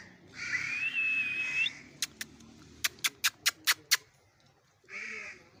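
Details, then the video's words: Pet parrot whistling a long wavering tone, then a run of about eight sharp clicks, followed by another whistled note; Hindi speech about food and the word mithu is heard nearby. "my favorite parrot talking parrot speaking parrot"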